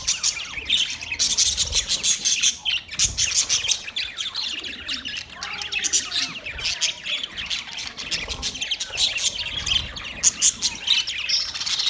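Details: A group of budgies keeps up a continuous, busy stream of high, grating chirps, squawks and warbles, with overlapping calls and hardly any pause.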